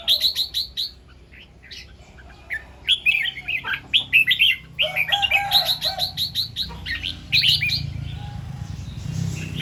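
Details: Set-camera morning recording of red-whiskered bulbul in 'double 2-3' and 'rik' singing: a row of five quick repeated chirps, a pause, then a long busy stretch of tumbling bright notes with low background rumble near the end.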